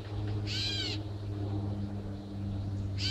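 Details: Catbirds scold the recordist: one gives a harsh, raspy, mewing scold lasting about half a second, with another starting at the end, over a steady low rumble.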